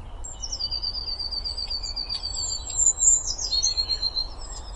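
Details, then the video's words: A Eurasian blue tit sings high, thin sustained notes, then a quick descending run into a fast, steady trill, over a constant low rumble of background noise. "Bird songs - Pretty melody of Blue tit."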